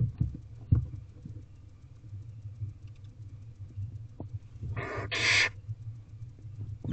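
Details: Feeding time for Barn owl owlets in an owl box, 18 April 2023, 8:05 pm; one doubled rasping hiss near the end, with quiet scratching and a low hum throughout.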